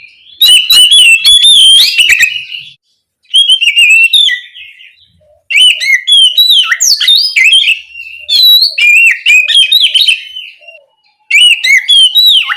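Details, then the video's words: Oriental magpie-robin, called kacer or kucica kampung in Indonesia, calling its companion with loud bursts of rich whistled and scratchy notes, rapid and varied, separated by short silent pauses. "Suara Burung Kacer Gacor Memanggil Temannya"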